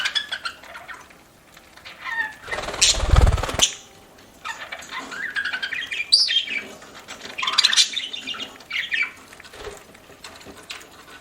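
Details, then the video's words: A pet budgie eating and chirping: a loud crunching, rustling burst early on, then continuous warbling chatter of rising and falling high chirps. "PARAKEET EATING SOUNDS"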